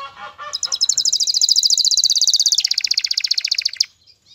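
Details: Male canary, highly excited and ready to breed, singing to draw a female into mating: a long, very fast, even trill of high chirps that drops into a lower rolling trill before stopping abruptly.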